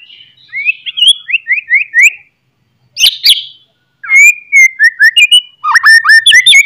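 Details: Loud morning song of a white-rumped shama, played to rouse fighting spirit: a quick series of slurred whistled notes, a pair of harsh chattering bursts, then fast rippling whistled phrases with sharp high ticks.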